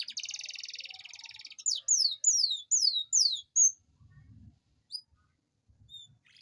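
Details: Singing domestic canary in a long rolling song used to coax lazy canaries into singing: a buzzy trilled roll of about 1.5 seconds, then a string of loud descending whistled sweeps and a short flat note, with quiet gaps after.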